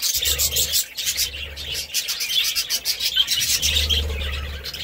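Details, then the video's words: Dense budgerigar chatter made of fast, clicky chirps and twittering warbles throughout, over a low humming drone at the start and finish. "Budgie Sounds"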